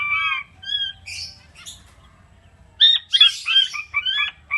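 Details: Caged king quail producing short falling whistles followed by a quick jumble of chirps and harsh squawky notes in rapid succession.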